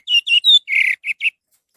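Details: Short phrase from an orange-headed thrush, played as a lure to prompt other birds to sing: six high, slurred chirping notes in quick succession, the middle one longer and rougher, then silence.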